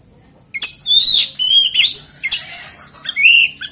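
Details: Oriental magpie-robin used as a singing lure for other magpie-robins, giving a loud jumble of whistles, sharp chips and buzzy rising notes after a brief quiet start.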